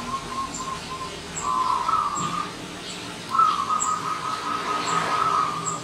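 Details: Visiting wild zebra dove beginning with a few soft short notes, then two long rolling trilled coo phrases, amid faint high chirps from other birds.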